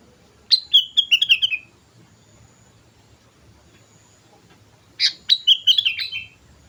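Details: Lure song of a sooty-headed bulbul: two bright bubbly phrases about four seconds apart, each a rapid run of six or seven liquid whistled notes that step downward after a sharp opening note; quiet background otherwise.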